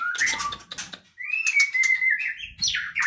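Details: Murai batu, the White-rumped Shama, caged at a local farm breeding males and females; clear rising whistles and a long sliding note, then rapid buzzy notes and a sharp high call.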